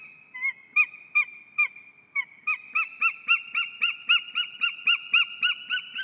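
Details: White-tailed eagles mating at their nest in Ķemeri National Park, Latvia, on a live nest camera: a run of yelping, arched notes that starts spaced and speeds into a rapid, even kli-kli-kli, with soft knocks underneath.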